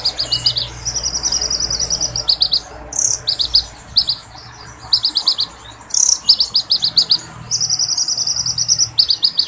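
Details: Oriental magpie-robin pouring out its full repertoire in punchy, long-rolling phrases. Grouped high chirps and extended rapid trills come in waves, split by brief scratchy bursts and short pauses.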